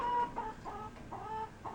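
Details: Pet rooster nesting in a box beside a hen and guarding her, giving odd dinosaur-like sounds; here short tonal clucks and squawks around a steady pitch, repeated several times in under two seconds, with the hen's typical noises behind.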